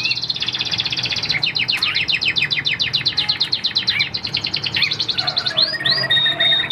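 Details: A caged Chinese hwamei in Vietnam rattles off a fast trill of repeated short descending notes, about four a second, then ends with longer bright whistled phrases.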